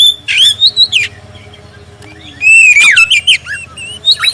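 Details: Clear-voiced black-breasted oriental magpie-robin song used as a lure to get other magpie-robins singing. A rising whistled phrase comes first, then a pause, then a dense run of sliding, warbled notes mixed with chips.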